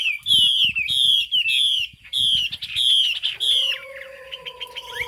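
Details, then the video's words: Cao cầu singing from a Chinese hwamei, described with a fig-leaf tail and turmeric bill: bright looping whistles in even bursts, ending with a lower steady tone and scattered chirps. "Họa mi hót cao cầu"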